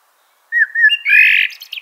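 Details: Common blackbird song: a short fluting whistled phrase near mid pitch, rising into a richer, louder warbled flourish with a squeaky high ending, on a quiet background.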